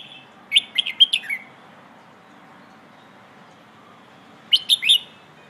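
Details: Pleng ho style song of a red-whiskered bulbul, meant to teach young birds: a loud run of about six sharp, sweet whistled notes, silence for about three seconds, then a shorter three-note repeat.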